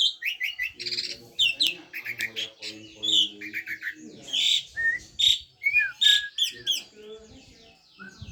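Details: Varied Asian pied starling song (jalak suren): rapid chattering notes mixed with whistled downslurs and harsher squeaky bursts in quick succession, plus some lower buzzy undertones.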